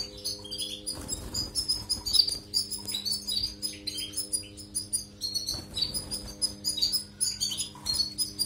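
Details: Canary-training recording of a European goldfinch song: busy, high, jingling twitters in rapid phrases, interrupted twice by brief rustling thumps, over a constant low hum.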